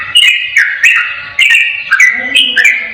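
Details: Brief burst of yellow-vented bulbul ropel song, used to coax a quiet bulbul into calling: a few bright, slurred whistles rising and dropping, with a low humming tone toward the end.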